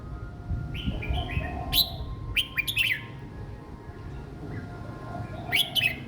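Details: Young caged red-whiskered bulbul singing a simple song style for youngsters to copy: a string of warbled whistles leading into sharp chirped bursts, then a final flourish after a pause, over steady low hum and faint cooing.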